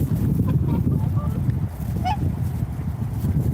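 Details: A few brief swan honks sound early on, then one louder, sharply rising and falling call near the middle, all against a heavy low-pitched background rumble.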